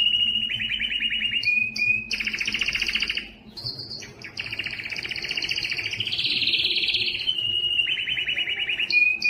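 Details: Mating song of an aroused canary, rolling trills in several bursts with brief gaps, a strong high buzzy stretch in the middle, and a clear short whistle near the end.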